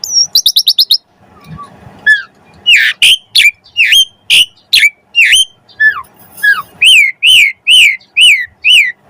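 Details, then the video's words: Asian pied starling full song used to prompt other birds into singing: a quick stuttered trill, then varied whistles and sharp notes, ending in a steady run of ringing rising-falling whistled notes about every third of a second. "Jalak Suren Gacor Pancingan Burung Jalak Agar Cepat Mompa Gacor Full isian Mewah"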